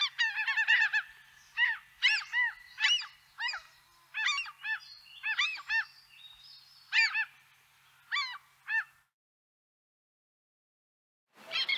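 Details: A Grey-headed Gull in Central Russia gives about a dozen harsh, nasal, arching calls in quick irregular bursts over nine seconds, then falls silent before a brief rustle.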